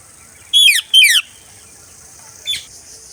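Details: Parakeet giving two loud, harsh screeches in quick succession, each sliding downward, followed after a pause by a fainter, shorter third screech; a steady high hiss runs underneath throughout.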